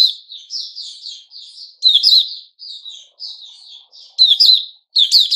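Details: Newly feathered white-crowned shama singing a continuous string of varied whistled phrases, some sliding and some sharp, with louder emphatic bursts mixed in.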